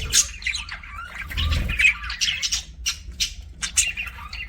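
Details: Pet budgies giving scattered short harsh squawks and sharp chirps at irregular intervals, some rising or falling, with a brief low rumble near the middle and a quiet room-like background.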